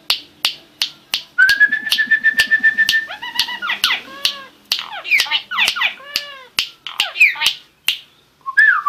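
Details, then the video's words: Starling song opening with sharp clicks, then a long level whistle with a stuttering buzzy undertone, followed by chattering rattles, arched harmonic squeals and more clicks mixed with twisting whistles. "Starling Bird Singing"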